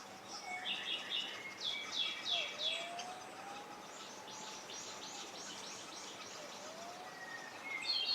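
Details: Fledged Owston's white-backed woodpecker on Amami calls in quick bursts of sharp, high chirps, about three a second, with a low, drawn-out whistle sliding beneath them.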